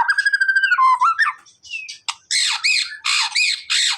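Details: White-rumped shama song for coaxing a silent bird to answer: a steady whistled note with stutter, a few slurred phrases, then a series of loud harsh rasping squawks about three times a second.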